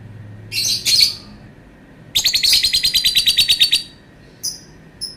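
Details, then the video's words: Lovebird calling: two harsh screechy notes, then a long rapid pulsed chattering trill of about fifteen beats, followed by two short high chirps. "Burung Lovebird bunyi suara panjang"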